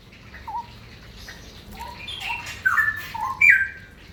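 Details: Straw-headed bulbul singing in the ropel style: quiet opening notes, then loud, rich warbled phrases sliding between low and higher pitches in the final two seconds, over a faint low hum.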